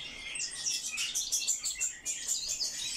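Eurasian blackcap singing a fast, high, chattering warble of quick twittering notes running about three per second, with no other clear sounds.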